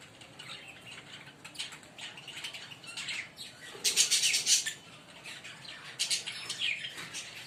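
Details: Fischer's lovebirds, a green pair, giving sharp, high, squawky chirps. They are quiet at first, then a loud burst of rapid chirping comes in the middle and another near the end.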